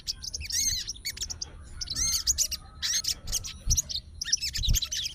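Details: Sooty-headed bulbul, a fighter bird that is agitated and calling an opponent, gives repeated clusters of high looping whistles mixed with lower curved notes, with scattered sharp chirps and faint thumps between the phrases.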